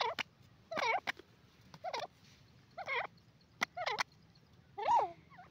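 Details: Francolin (teetar) calling in short, bending, slightly nasal notes that rise and fall, given in separate bursts roughly once a second with uneven gaps, over a faint low background hum.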